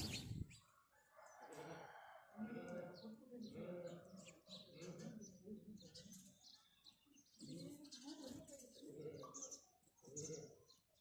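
House sparrows chirp busily, sharp bright chirps tumbling over one another almost without pause, over a low background murmur.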